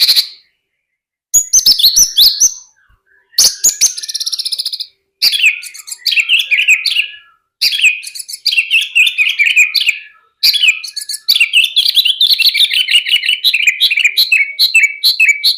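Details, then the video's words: Lark delivering a long, varied run of high twittering and warbled phrases, broken by a few short pauses, growing denser and more continuous toward the end. "Branjangan Gacor"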